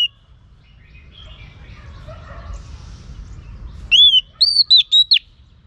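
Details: Female Oriental magpie-robin calling to rouse males: near-silent low murmur, then a short burst of loud, piercing whistled notes, some rising and others falling, repeated rapidly about four times at the end.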